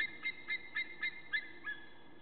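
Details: White-tailed eagles on 1 April 2014, one on the nest and the other nearby, both calling: a steady series of seven short, sharp yelping notes, evenly spaced about a quarter second apart, over a faint background hum.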